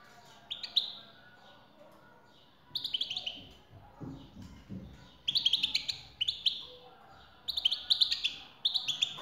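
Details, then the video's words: European goldfinch recording meant to prompt a male to sing in response to a female's call: bright twittering bursts of high, liquid notes, each lasting about a second, separated by short quiet gaps, with faint low background noise. "حسونك سيغرد مع هده البثبثة Goldfinch singing"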